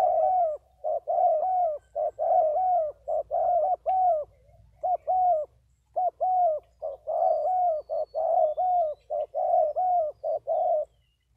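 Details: Spotted dove cooing steadily: a long run of short, mellow, hollow coos in quick two- and three-note phrases, nearly a coo per second, with tiny pauses and a quiet background.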